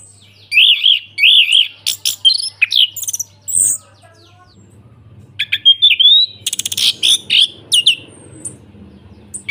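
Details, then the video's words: Orange-headed thrush giving loud ngeplong song meant to coax a silent thrush into singing: repeated looping whistled motifs, high sharp chips and buzzy bursts in two bouts separated by a pause, over a soft steady hum. "ANIS KEMBANG NGEPLONG PANCINGAN TERAPI ANIS KEMBANG MACET BUNYI SEKETIKA LANGSUNG NYAUT DAN GACOR"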